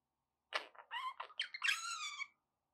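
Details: Pet budgie indoors gives a series of harsh nasal notes leading into a longer, clearer drawn-out squawk with ringing tonal layers.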